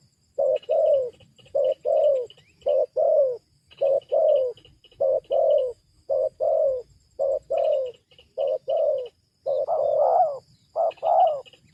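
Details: Spotted dove cooing used to lure wild doves down: short low coo notes in pairs and small groups at a fairly regular rhythm, with high thin chirping from other birds behind.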